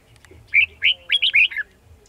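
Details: Red-whiskered bulbul at a bird trap, 18 December 2020: a loud, clear song phrase of five quick, bouncy warbled notes, each a rising then falling slur, over a faint low background hum.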